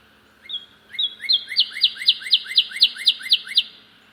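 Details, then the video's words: Cardinal near a bird feeder gives a loud, quickening run of about a dozen clear, slurred whistles, four or so each second, growing louder and ending abruptly. "cardinal making aloud sound"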